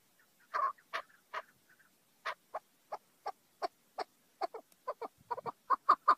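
A chukar gives a series of harsh, clucking chuck notes, about two per second, speeding up into a rapid run at the end; nothing else intrudes.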